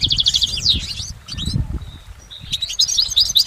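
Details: Goldfinch song heard in nature as bursts of fast, high trilling twitters and slurred notes, separated by a quieter gap with a faint whistled tone, over low background rumble.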